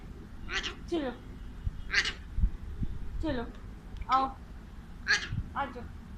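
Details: Pet male Alexandrine parakeet talking to a mirror in Urdu and Hindi: a series of short, nasal, speech-like syllables with strong harmonics, uttered roughly once a second, in a small indoor space with low background rumble.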